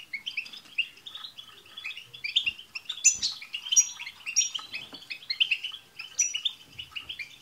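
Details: European goldfinches singing together, used to prompt a pet goldfinch to sing: dense overlapping twittering of quick chirps and trills, with several birds calling at once and a few louder buzzy notes.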